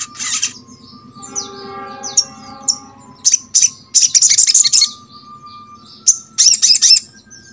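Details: Little spiderhunter, a recording to set birds of its kind singing: a sharp burst, a lower tonal whistled stretch with scattered high chips, then rapid high chattering bursts separated by short pauses.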